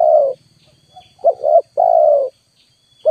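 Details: Spotted dove used as a lure to draw in wild birds: a long steady coo, a faint short note, a quick double coo, then another long drawn coo, all low and mellow with clear silences between.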